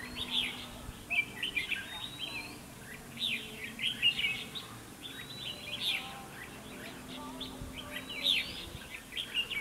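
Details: Red-whiskered bulbuls at a fight trap, a caged decoy singing to lure rivals: bright, quick warbled phrases in bursts, several birds overlapping, with short gaps of hiss between bursts.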